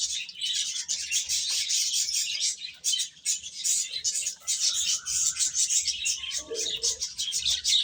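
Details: Several baby chickens chirping as they feed, rapid overlapping high-pitched peeps almost without a break, and faint low rustling.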